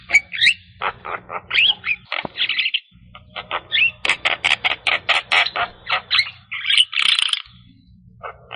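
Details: Javan myna singing 'gacor full isian' to stimulate stressed or quiet mynas: bursts of scratchy chatter and bright squeaks in quick sequences, a short pause near the middle, a low hum underneath.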